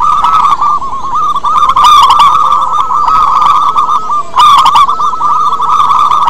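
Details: Loud local zebra dove song used to set off quiet doves: unbroken stream of quick, looping coos at even pitch, with buzzy broadband bursts near two seconds and again after a short pause at about four and a half seconds.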